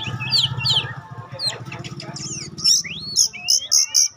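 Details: Kacer pastol, an Oriental magpie-robin used as a lure for other kacer: loud whistled slurs, then a run of four bright, evenly spaced high notes, with a low rumbling hum in the first half.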